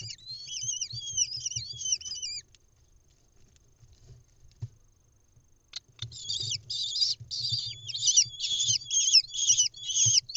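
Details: At a lesser kestrel nest camera in Israel, 10 May 2021, the mother arrives with a mouse: shrill slurred squeals for two seconds, near silence for about three, then louder, harsher rapid chittering bursts to the end.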